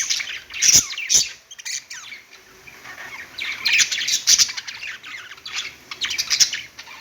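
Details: Budgies kept as pet birds warble on their perch, giving rapid scratchy chirps and squawky notes in bursts, a brief near-quiet spell around two seconds, then busier chatter toward the end.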